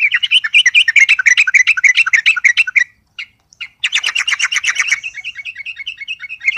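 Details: Yellow-vented bulbul (Pycnonotus goiavier), song: agitated singing provoked by a rival.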